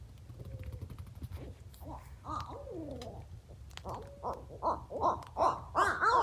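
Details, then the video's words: Barred owls 'talking' to each other at night while someone camps, sounding like monkeys: wild hoots and cackles rising and falling in quickening bursts that build into a loud chorus, over low background rumble. "when they 'talk' to each other they sound like monkeys"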